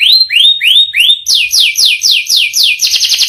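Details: Canary singing a rich, rolling song: four clear rising whistles, then a run of downward-sweeping notes, ending in a fast tight trill.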